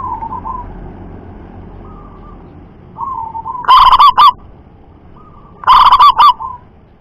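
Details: Local zebra dove with a loud voice that carries over long distances. Soft rolling coos build into two powerful, distorted bursts of rapid trilled cooing about two seconds apart.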